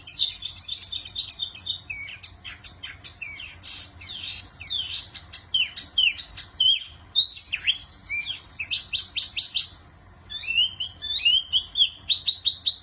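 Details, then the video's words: Wambi in full song: a busy, varied stream of high chirps, sharp upslurred whistles and rapid trilled bursts, with brief pauses and dense clusters of notes throughout. "Burung Wambi Mini Gacor Kicau Terbaik"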